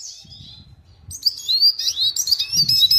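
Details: Red siskin gives soft buzzy notes, then bursts into loud, high, twittering song over faint low rustling.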